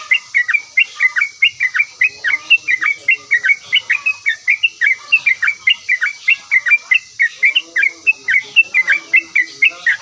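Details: Chattering yellow-vented bulbul, described as answering immediately, repeats brisk bubbly chirps in a long, steady stream of three to four notes a second, with a continuous high hiss behind.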